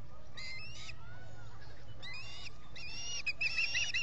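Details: Osprey at a camera-monitored nest at Salt Point in the Finger Lakes, July, three birds present, uttering scattered short whistled chirps in a few bursts against a constant low rumble and hiss.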